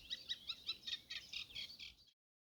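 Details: A reed warbler, seen by the recordist, chatters from a spring fen along a boardwalk in quick, scratchy, repeated notes, roughly five phrases a second, harsh and high, for about two seconds; it sounds much like a sedge warbler.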